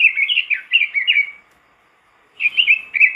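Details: Robin singing vigorously as a master recording meant to prompt other robins: a quick cascade of sweet warbled, slurred notes, about a second of silence, then the rapid warbling starts again.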